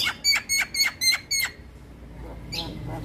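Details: Male white-eyed Javan myna used as a singing lure gives five sharp, evenly spaced clicking notes about every quarter second, then falls silent before a faint hiss of background noise.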